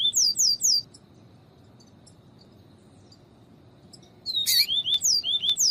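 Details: Double-collared seedeater singing in the viviti style, mixed with female calls, played to stir a cold male into singing: quick bursts of high, slurred, descending whistles, then a silent gap before another rapid run of sharp chirps.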